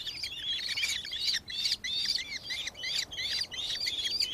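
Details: Nankeen kestrel, Victoria, Australia, recorded 4 December 2024: quick bursts of piercing high notes, repeated roughly every half second in short, even groups.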